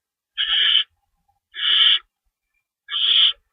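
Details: Owl screeching from a lookout after chasing an unknown owl at night; three harsh, hissing screeches about half a second each, spaced roughly every 1.3 seconds, in otherwise quiet surroundings.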